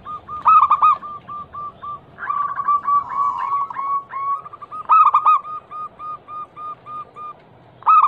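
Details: Lure song of a local zebra dove, described as a vocal female calling the male, to prompt silent doves; emphatic coo bursts separated by long runs of short, mellow, level notes, one phrase blurred and dense.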